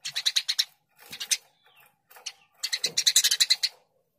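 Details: Lively Eurasian tree sparrow chirping in bursts. A quick run of bright, harsh chirps comes first, then a few scattered notes. A longer, denser series of about a dozen chirps follows, over a quiet background.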